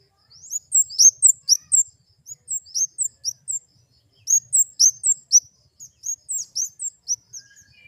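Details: Flowerpecker (kemade) singing in short bursts of thin, high, slurred chirps, several phrases separated by brief silences.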